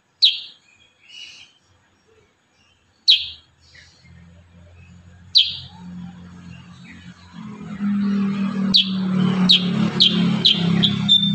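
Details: Kurincang singing loud, high, downsweeping notes separated by pauses, then a rapid run of sharp chips as a low hum rises in the background.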